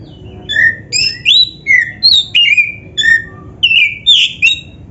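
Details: Oriental magpie-robin of the black-breasted form singing steadily, used as a lure for other magpie-robins: a continuous run of clear whistled notes, some rising, some falling, about two per second with no breaks.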